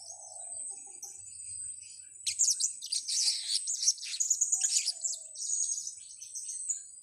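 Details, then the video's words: Blue-crowned hanging parrot, a lure recording for trapping: a dense burst of thin, high shrill chirps and squeaks in rapid irregular runs from the middle of the clip, with softer twittering before and after. "Pelapis pikat"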